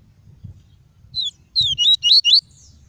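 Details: Caged double-collared seedeater giving clean tuí tuí song, used to excite birds and train chicks: one lone whistle, a pause, then four quick high slurred notes rising at their ends, over a soft low murmur.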